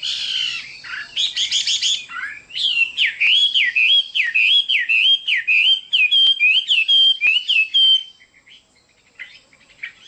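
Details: Chinese hwamei in loud, rich song. Buzzy opening notes lead into a long run of clear whistled phrases, each rising then dipping, repeated almost twice a second before a sudden pause.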